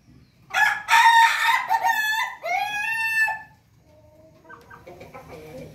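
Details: Pelung chicken crowing: one loud, rich crow of about three seconds that rises and then slides down at the end, followed by softer, short clucking notes over a quiet background.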